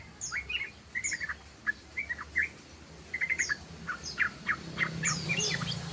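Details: Yellow-vented bulbul, called trucukan ropel, giving short rising chirps around mid-pitch in loose bursts, with high thin notes above and a low steady hum underneath.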